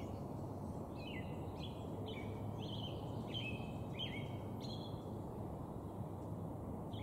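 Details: Slowed playback of a male northern flicker: a run of about eight clear, falling whistled notes spaced roughly half a second apart, over steady low-frequency background hum.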